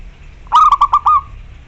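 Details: Loud local zebra dove song aimed at a rival: one phrase of clipped low coos in quick succession, finishing with a held coo that tails off softly, little else audible.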